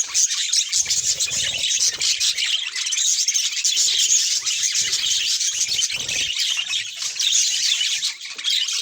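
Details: Pet budgerigars chattering continuously: dense, high, scratchy chirps and warbles running without pause, with occasional sharper squawk-like notes and faint low thumps beneath.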